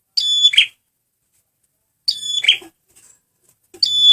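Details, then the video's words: Lure recording of a male prenjak merah singing: piercing, metallic whistled phrases with ringing overtones and a buzzy trailing chip, repeated roughly every two seconds in a quiet setting. "SUARA BURUNG PRENJAK MERAH PEMIKAT GACORRR"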